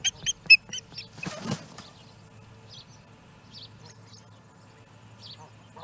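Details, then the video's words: Osprey chick at a nest in Charlo, Montana, on 21 August 2017, calling for fish before an adult brings one in; a burst of sharp high repeated notes, then scattered faint chirps over low steady hum. "Osprey Cam ~ Calls For Fish Answered!"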